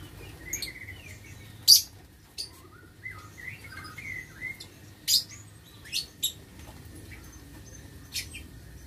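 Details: Several lovebirds in an aviary cage on 6 November 2022: brief shrill chips and scratchy screeches at irregular intervals, mixed with soft squeaky twitters and a steady low hum.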